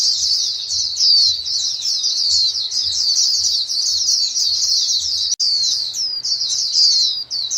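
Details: Flock of white-eyes calling to each other, used to prompt caged birds to sing: dense overlapping high chirps and short twittering notes run continuously, with a brief break near five seconds and faint low thumps underneath.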